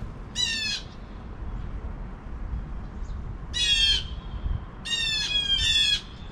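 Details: Two blue jays giving alarm calls at 7 AM: harsh, buzzy, rasping jeers, each under half a second, in a burst of one then a close pair and a double call, over a low steady background rumble.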